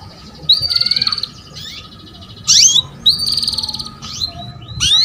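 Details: Canary female calling to lure the male into singing, used to prompt young canaries to sound: high rapid trills near one pitch, bursts of sweeping chirps and bright upward notes, repeated several times over five seconds; faint low background hum.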